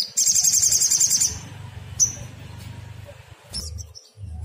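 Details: Sogon (sogok ontong), a sunbird, agitated song used as a lure to make other birds answer: a rapid high trill of repeated thin notes for about a second, followed by isolated sharp chips, with low background rumble.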